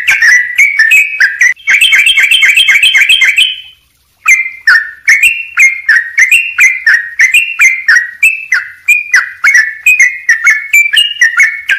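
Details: Full filler-note song of a sooty-headed bulbul with tight pauses; falling whistles lead into a rapid chattering run, a brief hush, then a long even series of clear whistled notes.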